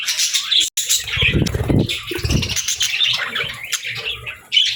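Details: Budgerigars kept alongside lovebirds chirp and warble in dense overlapping chatter. Low thudding, like wing flaps or handling, sounds in the first half, and a sharp click falls just before one second.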